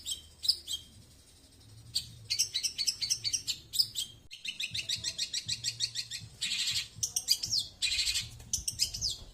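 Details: Cendet, the long-tailed shrike, delivering slow 'tembakan' song: bursts of rapid high rattling chatter broken by short pauses, mixed with sharp whistled upsweeps and scratchy trills, loud and close.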